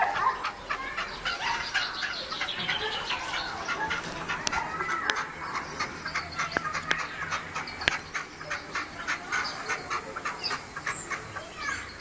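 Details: From León, Spain, in 2012, a decoy partridge said to have three breeding-season calls produces a long, steady series of sharp, rasping clucks about twice a second, with a few clicks and knocks.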